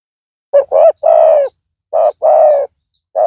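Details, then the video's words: Loud-voiced spotted dove used as a lure for a rival; repeated phrases of a short double note then a long low coo, about fifty per minute. "Pikat tekukur tapau Bl suara besar"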